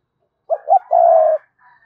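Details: Spotted dove giving a short phrase of two hoots and a steady, drawn-out coo, with a softer note trailing after.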